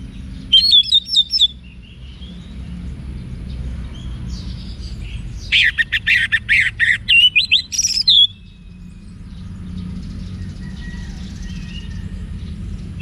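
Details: Orange-headed thrush song used for training cage birds in Bali, Indonesia: bursts of high twittering and whistled phrases near 1.5 s and 6 to 8 s, separated by low background hum.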